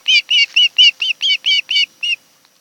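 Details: Nine clear, short whistled notes in about two seconds, evenly spaced, from an osprey at a nest on Kent Island, Maryland, recorded by nest camera on a July 2018 afternoon.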